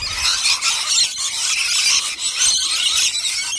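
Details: A large gathering of native rainbow lorikeets feeding on nectar, recorded at close range, fills the air with nonstop piercing, high-pitched screeching and chattering from many overlapping birds.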